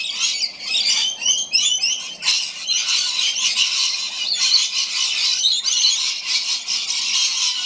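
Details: Flock of rainbow lorikeets feeding together during rain on the Gold Coast: overlapping high, grating shrieks and rapid chattering squawks, some short sharp bursts standing out over a constant screeching din.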